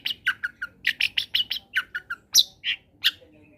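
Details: Long-tailed shrike singing a varied combination song meant to stimulate quiet shrikes: a quick run of harsh, scratchy chattering notes, ending in a few louder separate squawks.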